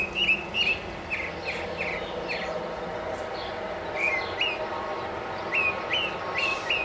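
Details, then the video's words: Male northern mockingbird twittering atop a tall mesquite tree in central Arizona, with a cardinal singing directly below. Short slurred whistled notes in quick groups, pausing midway, then resuming. Steady low rural hum underneath. "Listen to the Mockingbird"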